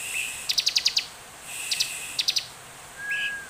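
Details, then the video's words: Bar-winged prinia singing as a lure to start other prinias singing: a quick run of six sharp, high ticks, then sparser ticking notes, ending with a soft whistle. "Ciblek gacor penuh emosi cepat dan efektif buat pancingan ciblek agar bunyi"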